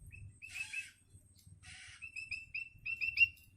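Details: Young long-tailed shrike, hungry and learning to sing, giving two rasping bursts followed by a run of short, clear, high notes repeated quickly in an uneven series, with low background rumble.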